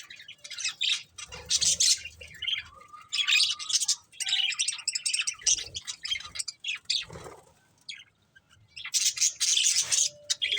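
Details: Budgerigar breeding pair chirping: near-continuous raspy warbled chatter with short whistled notes, dipping briefly to quiet before a final loud burst.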